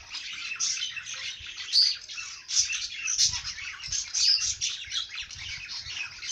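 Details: Singing bird giving a steady stream of rapid high chirps and squeaky twitters with little pause, several sharp whistled accents standing out, and faint low rumbles in the background.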